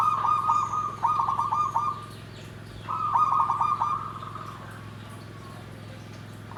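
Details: Zebra dove (perkutut) giving its nggandem gedhe garing song: two phrases, each a stuttering run of quick descending notes that merges into a short trilled coo, about two seconds apart, then quiet with a constant low hum.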